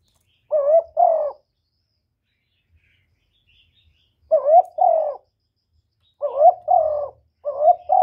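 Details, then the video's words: Spotted dove song, recorded directly without background noise, played to lure doves when trapping: soft, low hollow coos in short paired bursts, two coos, a long pause, two more, then a quick run of three coos. "Cu đất giọng hạp Bổi, Cu Gáy gây ức chế, tiếng cu dùng mở khi đi bẩy, cu gáy giọng chuẩn, cu đất gáy"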